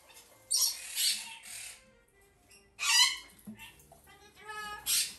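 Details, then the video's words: A young female Alor sulphur-crested cockatoo chick gives harsh, raspy screeches in bursts about two seconds apart. It is domestically bred, hand-fed three times a day and kept indoors at a shop, with faint background music and voices. "アルーキバタン 雛"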